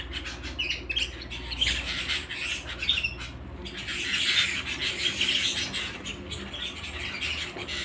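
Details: Domestic canary at home: busy high-pitched twittering with trills that swell louder in the middle, accompanied by a low background hum.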